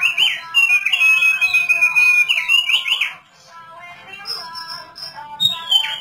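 A thick-billed white-eye gives a rapid, twittering warble of high sweet notes for three seconds, then thin scattered whistles, over soft background music.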